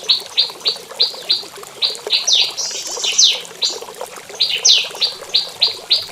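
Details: Prinia calling in the morning inside a mini aviary, said to be asking to mate: sharp chirped notes at a steady fast pace, with a brief burst of rapid, tangled twittering in the middle.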